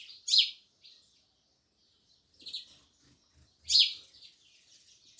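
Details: Loud, harsh sparrow chirps at the start and end, with a softer chirp and some low rumbling noise between them.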